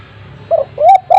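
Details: A spotted dove used as a lure, heard in a brief snatch of three smooth coos, the middle one rising and longest, over a low hum.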